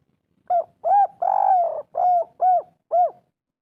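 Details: Spotted dove calling kuk 3 style. It is a training call meant to prompt quiet birds to answer. A brief note and two arched coos lead into a long sliding coo, then three crisp arched coos follow on a clean background.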